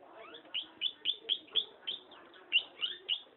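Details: Long-tailed shrike in lively voice, delivering rapid, repeated sharp chirps with a slightly downward slur, about four per second, against a faint low murmur.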